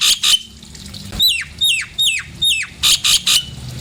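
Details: Nias hill myna calls played to stir birds into song: a few harsh noisy bursts, then five clear whistles each sliding sharply downward, spaced about a third of a second apart, then more harsh bursts.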